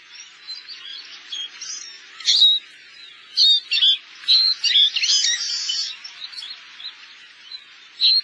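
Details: Wintering Eurasian siskin in Korea giving a run of high, thin twitters and chirps in irregular bursts, with scattered louder sharp notes over a steady background of soft chattering.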